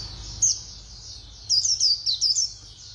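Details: White-eye khuyên líu song, fast-beaked: a single high chip, then about one second of rapid, bright, twittering notes over a steady faint low hum.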